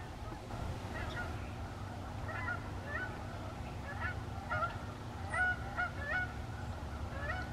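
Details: Canada geese flying in formation, giving repeated nasal honks, several overlapping and rising in pitch, loudest near the end, over a steady low rumble.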